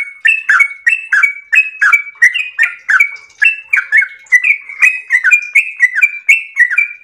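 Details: Trucukan, the yellow-vented bulbul, delivers its extended 'ropel' song, a steady chain of chirpy, gurgling notes with clicky attacks and brief level whistles, repeated about three times per second across the whole stretch.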